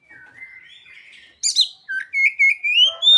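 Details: Song of an Oriental magpie-robin carrying imitated ciblek and sogon phrases. Soft wavering whistles lead to a bright chirpy burst, then a run of short clear whistled notes rising gradually in pitch.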